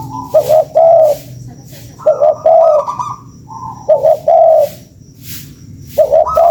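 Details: Lure sound of a spotted dove: repeated low, rounded coos in clusters of two to three notes every couple of seconds, a thin higher whistle-like tone linking some phrases, little background noise.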